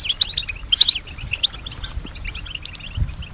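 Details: A caged European goldfinch, said to respond to and imitate nearby sounds, gives spaced, sharp high chirps and short tinkling phrases. Quieter twittering follows between them, and there is a soft knock near the end.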